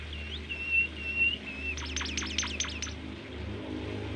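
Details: Sweet Bimoli masteran: three level whistles, then a fast run of about eight sharp downward sweeps in close succession, with low background rumble.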